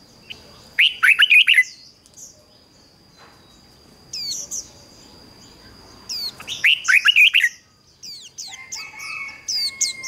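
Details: Red-whiskered bulbul decoy calling wild birds. Two loud, rollicking phrases of rapid warbled notes about five seconds apart, with sharp high chirps between them and a thin steady tone running throughout.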